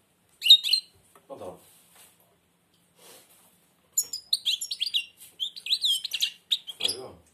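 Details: Blind European goldfinch singing with its beak almost closed: a short burst of high twittering notes, a pause, then a long run of rapid, buzzy chirps and trills, with a man's voice speaking briefly.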